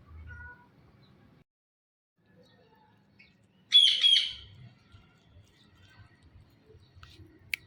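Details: Blue ringneck talking parrot: one harsh, high two-note screech halfway through a mostly quiet stretch, with a faint click near the end.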